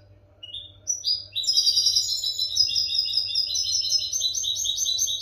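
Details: Song for training captive European goldfinches: after a few rising introductory notes, a sustained rapid high twitter of liquid repeated notes runs steadily to the end, with a soft low hum behind.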